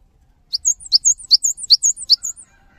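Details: Cinereous tit song intended to make other tits sing along: crisp high chip-and-whistle pairs repeated around five times, ending abruptly.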